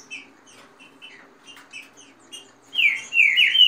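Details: Green-winged saltator in a contest between kept birds, fast song with female calls and rain song: faint short notes repeated for nearly three seconds, then two loud descending whistled slurs.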